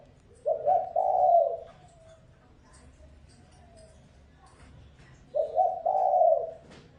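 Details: Decoy spotted dove used for luring wild doves gives two low cooing phrases about five seconds apart, each a quick stutter then a long soft coo, with faint clicks and murmurs in the gap.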